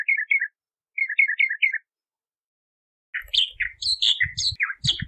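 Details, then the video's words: Bahama Mockingbird (Mimus gundlachii) singing: two bursts of short repeated chirping phrases, then a louder, varied jumble of harsh and whistled notes with low thumping underneath. "Bahama Mockingbird Song! Bahama Mockingbird Voice!"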